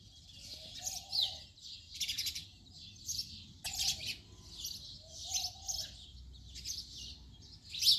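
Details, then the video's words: Busy house sparrow chatter, loud clusters of sharp chirps broken by brief pauses, one sudden louder burst near the middle. "House sparrow sound effect"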